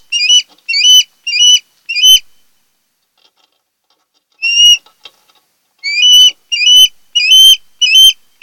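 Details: Wild osprey at a nest on Kent Island, Maryland, recorded by a nest camera in August 2018. Four loud, clear whistled chirps sound about half a second apart, then a pause, then six more rising, slurred whistles.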